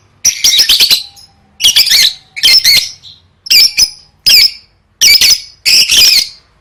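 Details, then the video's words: Lovebird practising competition singing, gacor gantang style: rasping, squealing bursts about a second apart, each a cluster of rapid scratchy notes. "Suara Burung Lovebird III Latihan Gacor Gantang Siap Juara"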